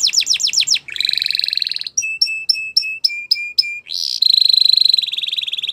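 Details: Gloster canary (Serinus canaria domestica) sings a fast, varied song: quick falling whistles, a buzzy rattle, a run of clipped repeated notes, then a rolling high trill.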